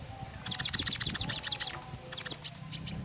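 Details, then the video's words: Common iora singing energetically, a recording meant as a lure to prompt other birds: rapid high ticking bursts followed by short sharp high notes in small clusters, with low background hum. "Tembakan JITU Burung KONIN Gacor, Sangat Cocok buat Pancingan."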